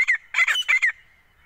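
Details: Female grey francolin, a kept bird, calling: a fast burst of five harsh, squawking notes in under a second, the middle two longer and buzzy, followed by quiet.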